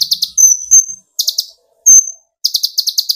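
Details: Olive-backed sunbird (kolibri ninja), young or speckled bird, singing to provoke rivals: short clusters of high chips, two drawn-out thin whistles between them, then another rapid chip run.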